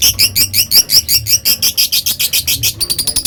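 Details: Long ngekek chatter of a lovebird, a steady run of shrill, scratchy high pulses, roughly two per second, each note rising slightly, with a faint low hum underneath.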